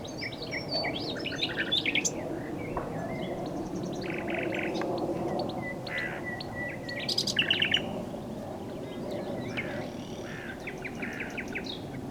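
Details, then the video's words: Song of a common nightingale against a constant low background hum: varied bursts of quick chirps and rattling notes, a short run of rapid repeated notes near the middle, and thin whistled slurs between phrases. "A Nightingale singing"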